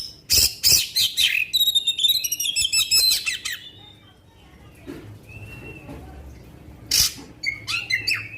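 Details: Kacer, the black-winged magpie-robin, in long-shot 'tembakan panjang' song used to spur other magpie-robins: harsh bursts, then a fast ladder of high trilled notes, a lull with a lone whistle, and more chattering phrases.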